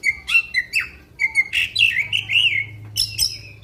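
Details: Black-winged magpie-robin singing in its 'tembakan panjang' long-volley style, which is used to stir up other magpie-robins. Clear whistled phrases, some rising and some falling, come in quick succession with buzzy notes. A faint low hum lies underneath.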